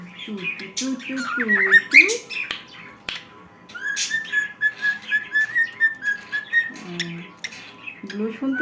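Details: A happy cockatiel sings a warbling run of whistles, with squawky harmonic notes and a steady whistled phrase.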